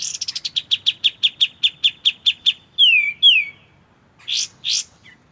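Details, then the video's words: White-shouldered triller in a clear-voiced tutor recording for training magpie-robins: an accelerating-then-steady series of sharp chirps, about fifteen notes, followed by two loud downward-slurred whistles and a pair of buzzy notes. "MASTERAN kapas tembak suara jernih"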